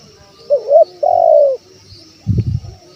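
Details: Male spotted dove call used as a lure for wild birds: a short double coo followed by a long level drawn coo, then a low thumping knock near the end.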